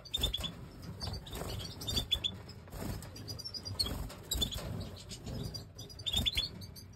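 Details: Pied white-headed Major goldfinch singing fast trills of short high repeated notes in bursts, several times across the stretch, mixed with sharp chirps and rustling, thumping background noise.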